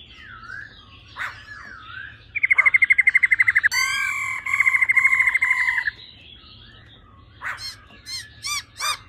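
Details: Female laughingthrush 'ro ro' calling, used to excite males quickly: soft slurred notes, then two long rapidly pulsed rattling buzzes, followed by several sharp repeated chips near the end.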